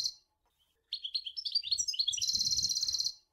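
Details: Goldfinch from Sour El Ghozlane singing. Short liquid chirps accelerate into a dense, buzzy, high-pitched trill lasting about a second.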